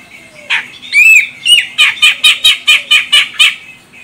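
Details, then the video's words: Female grey-cheeked bulbul from Medan, Sumatra, used as a lure call to provoke a male into singing: two upswept whistled notes, then a fast run of about ten harsh, evenly spaced chattering notes. "Cucak Jenggot Medan Betina Ini Bikin CJM Jantan langsung Koar Koar"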